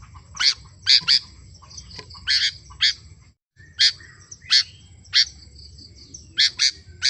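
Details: Sooty-headed bulbul singing energetically, bright, piercing chirps in quick pairs and triplets broken by short pauses, with a brief silent gap midway and a light low hum behind.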